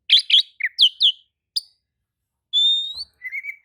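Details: Oriental magpie-robin delivering loud paired chirps and slurred notes, a sharp click, then a long pure rising whistle and a softer warbled phrase. This song is said to stir other magpie-robins to reply.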